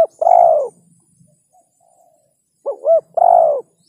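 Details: Soft, low cooing from a spotted dove. A long rounded coo is followed by a pause, then a short double hoot and another long coo.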